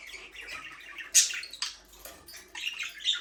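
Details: Several budgerigars in a small aviary give a steady run of buzzy, warbling chatter, broken by a loud sharp chirp near the middle and a few fainter squeaky notes later.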